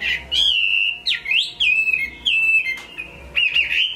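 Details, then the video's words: Chinese hwamei from Hai Phong, Vietnam, described as a good singer, giving loud clear whistled phrases, long level notes broken by quick upward and downward slurs, with short pauses between phrases. "Họa mi hót tốt"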